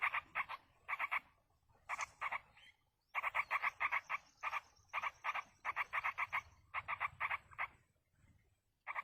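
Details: Yellow-vented bulbul young calling for food as a parent feeds them in the wild; insistent, raspy begging notes come in tight bursts of three to five, repeated steadily with one short pause.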